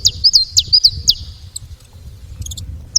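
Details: Saffron finch calling at a feeder: sharp, high, downslurred chirps given about twice a second for the first second, then scattered faint ticks over a low rumbling background.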